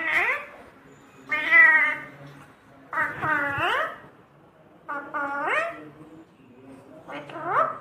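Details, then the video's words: Pet talking parrot uttering five separate harmonic, voice-like phrases, several rising at the end, spaced roughly every one to two seconds in a quiet indoor setting. "cute talking parrot"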